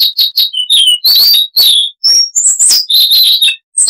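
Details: Rapid, varied song of a Siberian rubythroat (Luscinia calliope), recorded with noise reduced: closely packed high chirps and slurred whistles, a few down-sweeping notes, and a closing warbled run.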